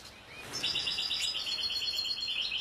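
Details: European goldfinch singing: after a quiet half second, a continuous rapid twitter of high, tinkling, slightly buzzy notes runs without pause to the end, with light background hiss.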